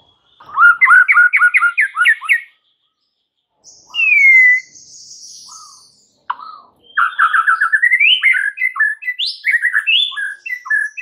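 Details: White-rumped shama singing hard through its repertoire of fills: a fast series of paired whistled notes, a long clear whistle, a faint rustle, then a lively tumbling run of varied chirps and slurred whistles.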